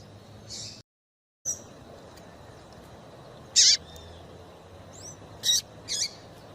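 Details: Double-collared seedeater female call, used to stimulate males into singing: short, high, scratchy chirps and thin down-slurred notes, scattered irregularly about five times in six seconds, over faint background hiss.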